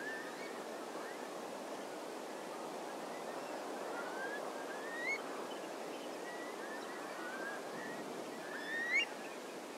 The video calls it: Curlew: Call from the Ground / in Flight / on the Beach